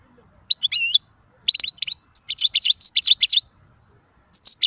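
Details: European goldfinch singing a rare, old-style song of the khalawi (wild) type, described as useful for training. Bright twittering notes come in short clustered bursts, with brief liquid rising-falling phrases and gaps of silence.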